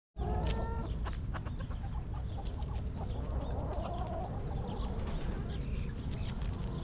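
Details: Backyard chickens in a coop, a hen giving short harmonic clucks near the start, then a steady low hum with scattered faint chirps from wild birds overhead.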